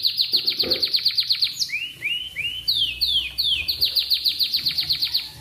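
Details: Atlantic canary singing in the morning, used to prompt other canaries to sing: fast repeated trills of high notes, then three slurred down-and-up swoops, then more rapid rolling trills, a steady bright tour structure.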